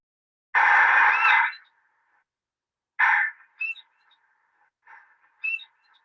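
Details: A tui in New Zealand gives its distinctive alarm call: a long, harsh rasping burst, then a shorter rasp about two seconds later, each followed by brief squeaky notes.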